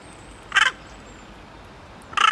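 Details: Hooded crow (Corvus cornix) in Prule, Ljubljana, Slovenia, 18 January 2023, calling: two harsh, hoarse caws about a second and a half apart, the second cut short, over a faint steady hiss.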